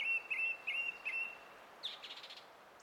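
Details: Song thrush, 20 April 2016, singing four clear whistled notes in steady repetition, then a brief burst of buzzy, rattling notes.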